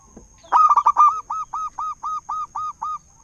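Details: Local zebra dove, five years old, a frequent loud singer used to draw other doves to sing; quick stuttering notes give way to nine regular rounded coos, with a thin steady tone in the background.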